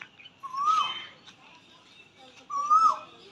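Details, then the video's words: Asian koel calling from a peepal tree beside a temple in spring, 5 April 2025: two loud, rising whistled notes that break downward at the end, about two seconds apart, with faint chirps in the background. "বন্ধুরা এতক্ষণ কোকিলের আওয়াজ শুনছিলে এর মিষ্টি মধুর আওয়াজ বসন্তকালে কোকিল সুন্দর করে ডাকে ততক্ষণ ক্যামেরা বন্দী করছিলাম"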